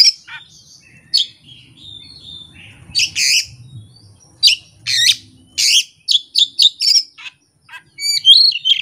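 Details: Oriental magpie-robin kept by songbird hobbyists, singing its isian repertoire without a master tutor or rival: varied high whistles and sharp chirps in quick bursts, some sliding, with short pauses between phrases and faint low room noise.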